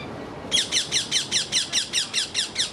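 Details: Rose-ringed parakeet in a rose garden, making a tremendous fuss about something unseen: after a brief quiet start, a fast, steady run of about eleven harsh, high, downslurred screeches, roughly five per second, over faint low background rumble.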